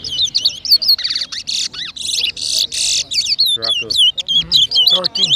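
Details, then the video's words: Towa towa seed finch in a whistling competition at New Amsterdam, Berbice, Guyana, 2023, pours out strong buzzy bursts and clear looping whistles in quick succession, while a person's voice murmurs faintly and counts are called. "TOWA TOWA BIRD WHISTLING COMPETITION"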